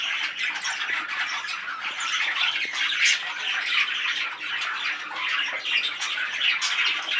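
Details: Steady, unbroken chatter from an excited male budgerigar: rapid buzzy trills, clicks and squeaky notes running evenly throughout at a constant level.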